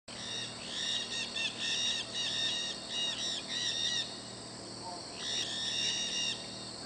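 A flock of maritaca parrots gives harsh, overlapping screeching chatter almost nonstop, with a brief lull before a final burst of calls.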